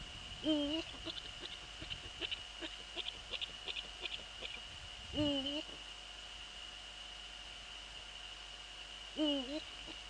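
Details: Eurasian eagle-owls in the Netherlands, night of 15 February 2013 at 04:40, the male visiting the female by the nest: three short quavering calls about four seconds apart, with rapid clicking bursts in between and a steady high whine.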